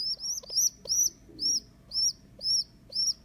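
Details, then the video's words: High squeaks from a young rock pigeon rescued from a roof after its mother abandoned it, kept at home on day two: drawn-out whistled notes that climb then dip, given roughly every half second, with faint soft clicks between them. "Baby Pigeon Squeaking"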